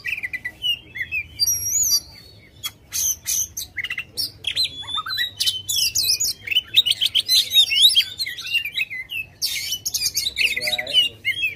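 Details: Oriental magpie-robin in full aggressive song, tail opened; begins with sparse pure whistles, then builds into rapid jumbled chattering and twisting whistled phrases, several notes per second.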